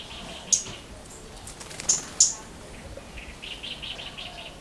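A Scarlet-backed Flowerpecker gives three sharp, very high ticking notes, two close together, over faint thin twittering from other small birds.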